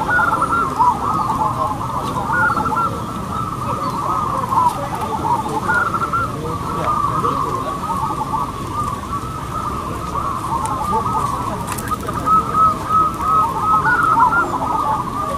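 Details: Local zebra doves singing in competition, a long dense chorus of overlapping coos, with repeated short notes bursting out near the end.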